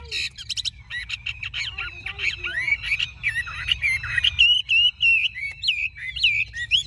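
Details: Energetic song of a large Chinese hwamei: fast scratchy chatter at first, then ringing slurred whistles and twisting phrases delivered in quick succession.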